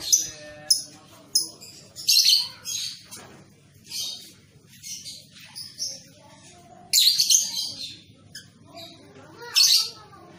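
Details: Training recording for young lovebirds: loud bursts of high, harsh chirps separated by quieter gaps, with softer twitters in between and a low steady hum underneath.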